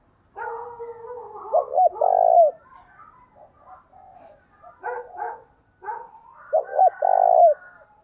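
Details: Early-morning luring song of a spotted dove, thổ đồng style: soft rolling coos build into two loud phrases of clipped double notes ending in a long sustained coo, with quieter chattering coos between.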